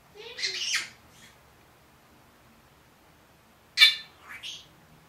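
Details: A one-year-old pet Senegal parrot that is said to talk and say good morning makes a scratchy, voice-like phrase, goes quiet for nearly three seconds, then gives a sharp burst and a rising squeak.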